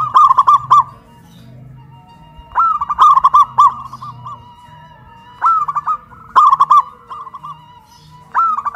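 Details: Local zebra doves from Kuningan, West Java, caged and hoisted up a pole, cooing loudly in a duet of big-voiced versus crystal-voiced birds: three bubbly rolling coo phrases near one pitch, a steady faint tone between them.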